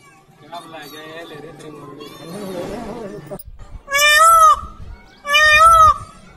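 A peacock gives two loud, nasal, wailing calls about a second and a half apart, after a stretch of murmuring voices and background chatter.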